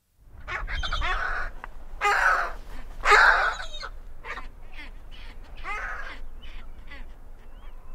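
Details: Great skuas invading the territories of two adjacent penguin pairs give harsh, nasal, honking calls in loud bursts about once a second, with other rougher bird calls overlapping in the background.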